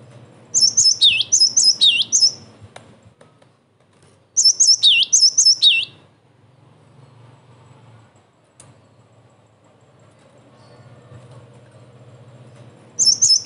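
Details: Cinereous tit song used to provoke other tits into answering and as a training recording: two bursts of rapid, high, sharply descending chirps, each about 1.5 seconds long, separated by long pauses, with a third burst starting at the end; faint low hum beneath.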